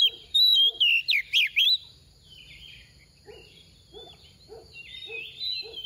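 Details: Female decoy oriental magpie-robin in soft tìu tíu tiu song: a loud cluster of swooping whistles early on, then thin high notes, with a lower repeated chirp pulsing about every half second.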